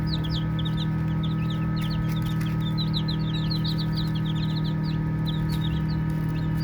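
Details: Playing baby chicks keep up rapid, overlapping high peeps, short and slightly upswept, continuing steadily over a deep background drone.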